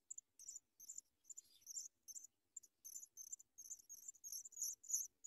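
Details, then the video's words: Sprague's pipit nestlings beg with thin, very high chips in quick, uneven bursts of several per second as the parent bird brings big worms for them to eat; no other sounds. "Sprague's pipit Bird brings big worms for babies to eat"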